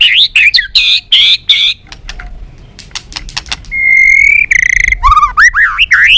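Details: White-rumped shama, balak 6 type, singing in a bird-trapping lure: quick fluty warbles, a clicking stretch, a long steady whistle, then swooping, rising notes.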